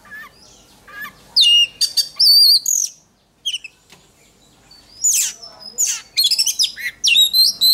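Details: Contest-training song of an oriental magpie-robin: scattered sharp chirps build into loud, clear whistled phrases with wavering notes, a near-silent gap, then dense rapid sequences of high, ringing and buzzy notes.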